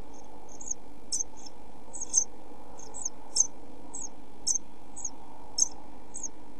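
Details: European pied flycatcher brood in a nest box, 27 June 2013, hungry in hot weather, producing irregular high thin cheeps, some doubled, roughly every half second, against a low humming backdrop.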